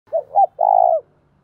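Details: Decoy spotted dove calling to provoke and lure wild doves: a three-part coo, two short rising notes and then a longer, steady, slightly vibrating coo lasting about half a second, in quiet surroundings.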